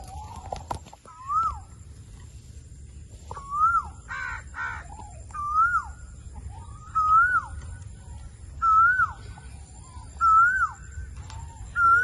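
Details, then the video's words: Indian ringneck parakeet chirping: clear whistled notes that rise then fall, repeated about every one and a half seconds over twelve seconds, with one buzzy, harsher burst early on and a faint low background rumble. "Amazing Indian Ringneck Alexandrine l Parrot Chirping Sounds"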